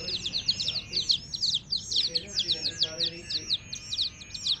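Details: Many baby chicks near a hen chirp rapidly in high, falling peeps, about two per second, with faint lower sounds mixed in.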